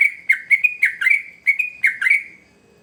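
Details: Sooty-headed bulbul singing hard as a lure for young birds, with quick bursts of rich, gurgling whistled notes in two close groups, then fading out at the end.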